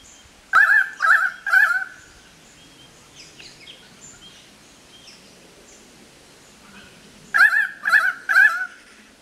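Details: Pied currawongs at Manly Dam National Park near Sydney, Australia, trilling with excitement around a powerful owl holding prey; two bursts of three loud, wavering, ringing notes, one near the start, one near the end, quiet between.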